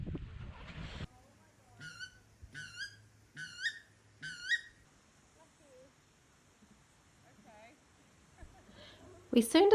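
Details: A weka at Ship Cove, Queen Charlotte Sound, New Zealand, on a late-summer day, gives four shrill, rising coo-eet whistles about a second apart, described as its mating call, then fainter answering notes, with wind buffeting at start and end.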